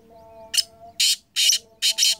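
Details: Kala teetar, a black francolin recorded in 2023, gives loud grating call notes: a short clipped burst then three to four longer rasping ones in quick succession, over a faint steady tonal background.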